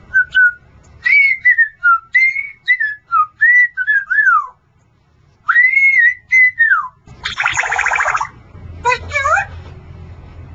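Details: Pet male Congo African grey parrot whistles a series of clear, mostly level and slurred notes in two runs separated by a pause, followed by a harsh broadband burst and warbling notes, in a quiet indoor room.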